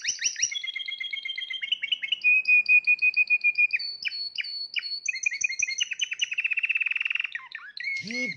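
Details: Long varied phrase from a Spanish Timbrado canary raised in 2020: bubbling trills, a held metallic roll, pulsing runs and a fast rattle, ending with a short harsh note.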